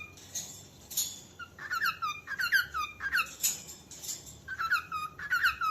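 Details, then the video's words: Calling cockatiel with rapid downward-slurred chirps in clustered bursts, starting after a second of softer, scratchy noise; several groups of sharp notes follow with short breaks between them. "som de calopsita chamando"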